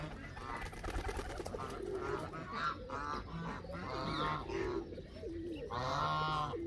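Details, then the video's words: Several Canada geese honk in overlapping bursts, the calls swelling louder toward the end into long, rich nasal honks over background rumble. "وز كندي"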